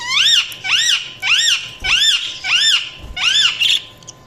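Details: Budgies chirping: six clear, arched whistled calls, each rising then falling, repeated about every half second in a steady series, over a faint electrical hum.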